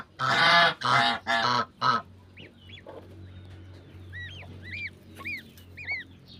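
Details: Mother domestic goose guarding her huddled goslings on a farm: four rapid, hoarse honks, then soft, high, arched gosling peeps repeated in twos and threes over a low background rumble.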